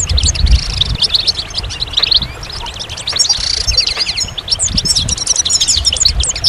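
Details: Goldfinch song delivered as a dense, tinkling stream of high chirps and liquid trills, very rapid and continuous throughout, with low rumbling noise beneath.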